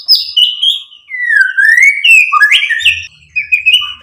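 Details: White-rumped shama song used to provoke other birds: smooth whistles gliding down then up, followed by quick varied warbled notes at different pitches; a faint low hum in the background.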